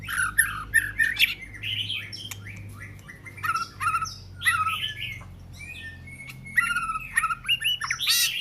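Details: Varied, rich song of an Oriental magpie-robin: dense runs of slurred whistles, trills and harsh notes, with short pauses and steady level whistled tones, over a continuous low hum.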